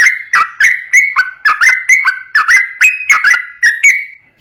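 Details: Sooty-headed bulbul singing ropel, used to coax untrained birds: a lively string of short whistled notes, alternating higher and lower pitches, fading at the end.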